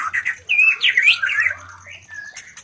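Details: Breeding call of a white-rumped shama, played to spur other shamas to mate: a burst of bright slurred whistles and chattering notes, fading into a soft steady tone near the end.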